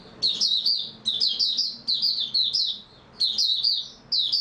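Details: Song of an oriental white-eye recorded 3 March 2022, after a good night's sleep: four quick runs of high, chirpy warbling notes, each under a second long, with short silences between.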